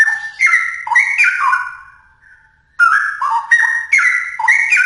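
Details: Straw-headed bulbul singing in full, energetic voice: two bursts of loud, liquid, bubbling notes that leap between low and high pitches, separated by a fading pause of nearly a second.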